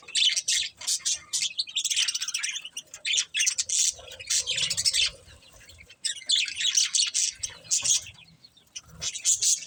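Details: Budgies chattering steadily in long scratchy warbled phrases mixed with sharp squawky chirps, pausing briefly around the middle before the busy high chatter resumes.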